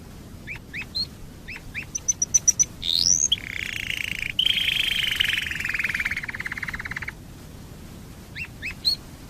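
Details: Domestic canary lure song to prompt other canaries to sing: scattered soft chirps and a quick run of high notes lead into a long buzzy roll of several seconds, followed by a few more faint chirps.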